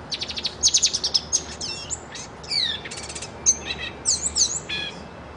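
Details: Black-and-white pet bird with a silver beak sings a lively, varied phrase of high chirps, downslurred whistles and buzzy trills, strung together almost without pause over a quiet background.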